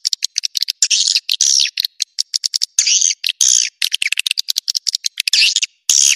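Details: Lure call of edible-nest swiftlets to attract roosting birds: bursts of dry clicking alternate with high, squeaky, warbling twitter phrases, repeated with brief pauses.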